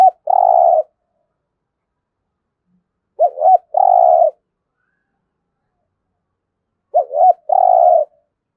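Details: Spotted dove cooing in the intense 'thúc gù' manner for daily decoy-bird training: three phrases about every three and a half seconds. Each has two quick wavering notes and then a long flat coo. No other sounds.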